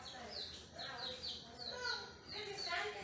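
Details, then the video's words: Baby chicks peeping: high, thin notes that slide downward, repeated roughly once a second in an uneven run, with softer murmuring beneath. "Chicks sound"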